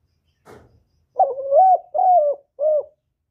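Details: Spotted dove (cu gáy, cu đất) giving a calling coo in the thổ voice style, used to stimulate other doves: a soft rustle, then three low, smooth coo notes, the middle one longest and arched. No other noise.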